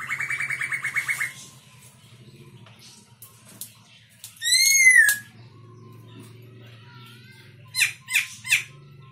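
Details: Black-throated laughingthrush from Myanmar: a fast buzzy rattling trill, a pause, one loud clear whistle dropping in pitch, then three sharp chirps near the end over a low steady hum.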